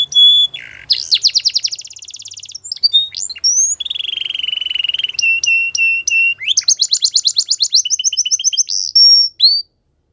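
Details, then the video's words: Canary in full song: fast rattling trills, a long buzzy rolled tour, crisp paired whistles, then another rapid trill and short rising notes, loud and clean with little background noise. "Canary Birds Song | The Best Canary Sounds"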